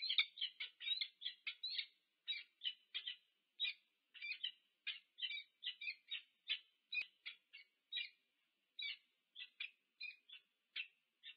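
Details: Wild peregrine falcon pair meeting at their nest on a nest camera at UC Berkeley, USA, 2 November 2022: a long run of harsh, clipped two-part notes repeated quickly, with short pauses between bursts.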